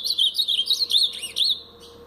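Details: Blue-black grosbeak of the Paraná pardo song type: a clear, rapid run of whistled, warbling notes, wavering up and down with one dipping note near the end, lasting about one and a half seconds before fading.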